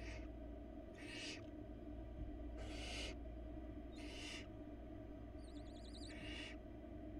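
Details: Hungry barn owl babies on a Florida nest camera during a rabbit delivery by their mother: a run of five breathy screeching hisses, with a brief high warbling trill near the end, over constant low hum.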